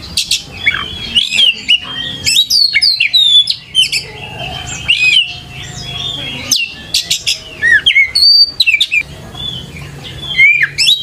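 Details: Oriental magpie-robin song used to lure and train young birds to sing; a long, varied stream of sweet whistles, upslurred and downslurred notes and rasping squawks, almost continuous with brief gaps.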